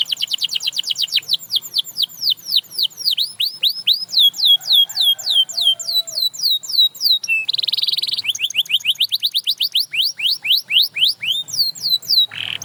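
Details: Canary singing loud, fast song made of repeated descending whistled sweeps in quick trills, switching between phrases, with a brief buzzy rattle midway; other canaries are meant to be inspired to sing.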